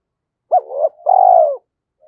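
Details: Cooing spotted dove used as a decoy: one quick upswept note into a wavering coo, then a long, even, burry coo, with a faint note starting at the end.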